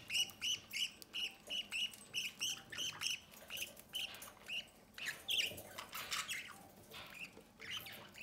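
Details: Captive budgerigars feeding chicks from the nest door: a steady run of short, clipped chirps about two per second, then a louder, messier burst of rasping squawks.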